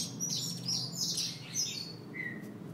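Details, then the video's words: Female Peruvian canary giving thin, high chirps and short sweeping notes, with one lower, briefer note near the end, over a faint low hum. "Fêmea de canário peruano"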